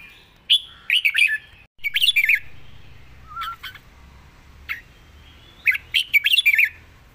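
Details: Red-whiskered bulbul with a soft, pleasing style sings several short, bubbly phrases of quick slurred chirps, separated by pauses with occasional single notes and a brief low trill between them.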